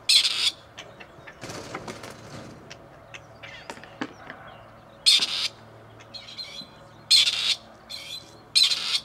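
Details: Grey partridge calls at Tullow from two wild males returned after release to look for females. Loud grating, broadband rasps sound at irregular intervals, with a softer scratchy rustle early on.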